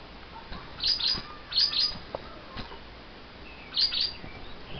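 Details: Two lovebirds unsettled after wing clipping, calling in paired high chirps, three double bursts spaced irregularly, over steady hiss.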